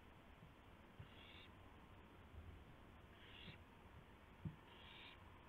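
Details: At 2:51 AM in April 2016, an owl carries a gopher to its mate. Three soft, breathy rasps spaced about two seconds apart, with faint clicks and knocks over a low background drone.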